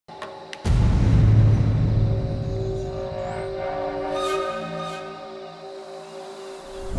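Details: A deep low rumble with sustained droning music tones, no animal voice standing out.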